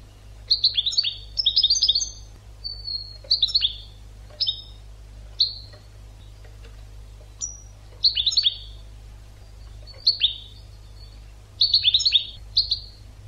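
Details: Goldfinch song recorded as teaching material for captive birds: repeated clusters of fast tinkling, twittering notes and drawn-out sweeping whistles, phrases spaced every second or two, with a low constant hum underneath.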